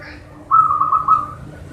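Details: Zebra dove of local Indonesian stock singing to stimulate birds that sing little: a single brief rolling trill of five or six fast cooing notes lasting about a second, over low background hum.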